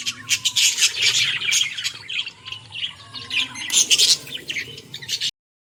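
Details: A flock of Australian parrots producing loud, continuous high squawking and chirping in rapid overlapping bursts. The sound ends abruptly near the close.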